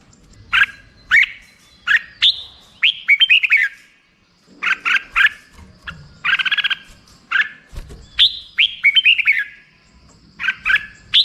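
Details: Black-crested bulbul song made of repeated runs of clear, downward-slurred chirps, several phrases spaced a second or two apart, over a quiet low background rumble.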